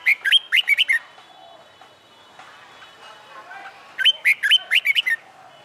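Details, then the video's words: Caged red-whiskered bulbul, wild-caught and about a month into training for fighting song. It gives two matching bursts of six or so rapid, loud whistled notes about four seconds apart, with faint background tones between them. "Luyện Chào Mào Hót Đấu/ chào mào bổi ra giọng sau tháng lồng tay mới/ chào mào luyện hót đấu đầu tay"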